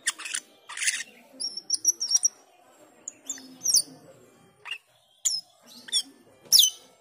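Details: Black-winged myna call in the ngriwik and teler styles, used as a lure to train cucak keling: harsh, scratchy bursts mixed with high, thin whistled notes and sharp squeaky accents, given in irregular short phrases with brief pauses.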